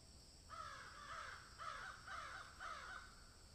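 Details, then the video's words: A crow eating food gives harsh, nasal caws in quick bursts, about two per second, over a steady background hiss. "Crow sound"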